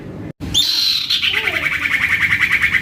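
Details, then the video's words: Common iora, a young bird kept in a collection, singing to prompt silent irioras to respond. After a short silence comes a high, clear whistle that settles into a long, steady trill of rapid buzzy pulses. "Anakan Cipoh Atau Sirtu Gacor Abis !!! MENTAL TEMPUR!!! ( PANCINGAN CIPOH AMPUH )"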